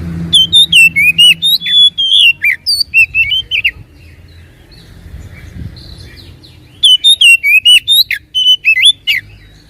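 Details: Oriental magpie-robin song used as a lure to provoke a reluctant bird into singing: loud, clear whistled phrases with rising and falling slurred notes, a burst, a pause, then another rapid sequence of whistles.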